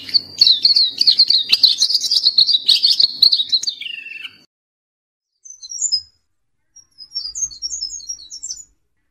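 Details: Black-capped white-eye in lively continuous song, recorded as a tutor track for training songbirds: a dense, high, twittering warble for about four seconds, then short thin bursts of sharp chirps after pauses.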